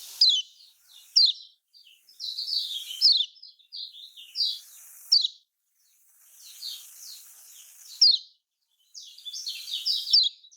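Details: Lemon-bellied white-eye (kecial kuning) of the Lombok type, a lure for lazy singers: short bursts of high, sharp chirps in clusters roughly every two seconds, with broad hissing noise between them.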